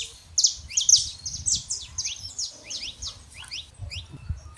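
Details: Saffron finch pair, male and female, in a lively jumble of high, bright chirps and sharp downslurred notes repeated quickly for several seconds, then a few softer notes.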